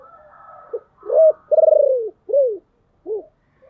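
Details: Husky-voiced decoy spotted dove calling to draw in wild doves: a soft lead-in, a loud hoot, a long tremulous pulsed coo falling in pitch, a descending note, and a short final coo.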